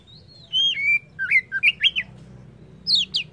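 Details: White-rumped shama: a long clear whistle followed by a series of short looping whistled notes, then a pair of high sharp notes after a brief pause, over low hum.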